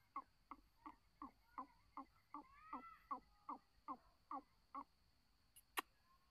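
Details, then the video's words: Black francolin giving a series of about thirteen short, harsh, stacked notes repeated roughly every third of a second, with a steady background hum and a couple of sharp clicks near the end. "kala teeatar ke awaz|kalateeaar|back francoline voice"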